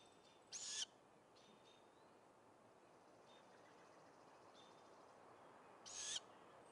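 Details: The youngest great grey owl nestling at a nest, on 17 May 2017, gives two harsh, hissing begging screeches while it fails to grab a rodent that a sibling holds.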